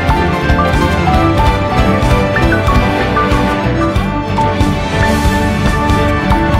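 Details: Loud upbeat instrumental music with a steady beat fills the recording, with no animal calls.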